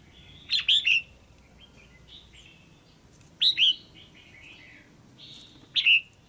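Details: Caged female red-whiskered bulbul uttering pairing calls to rouse a male: three bright, fast three-note phrases, each sharply rising and falling, repeated at about two-to-three-second gaps over faint background chirps.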